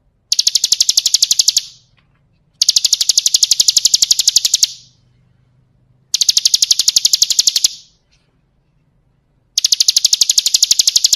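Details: Bar-winged prinia singing kristal style for a bird song-training recording: four bursts of fast, sharp, high repeated notes, each lasting one to two seconds, separated by silent pauses with faint low hum.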